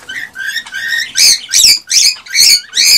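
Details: Male cockatiel singing excitedly to stimulate a female to mate, soft whistled notes followed by five loud, rasping, harmonic chirps evenly spaced about every half second.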